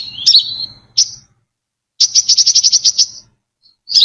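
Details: Brown-throated sunbird singing for a lure recording with no background noise. A slurred note that falls in pitch is followed by one chip, then a fast, even run of about ten sharp, high chips.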